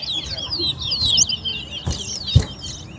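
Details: Towa-towa competing in a singing match between West Coast and West Bank birds, pouring out a quick tangle of high, looping warbled notes for about a second, followed by two loud knocks amid background hum.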